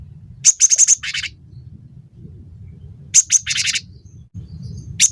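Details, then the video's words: A cinereous tit on a tutor recording for songbirds: a quick string of thin high whistles then a raspy buzzing chatter, repeated once, ending with a lone whistle; low hum in the background. "masteran burung gelatik batu gacor pancing bunyi"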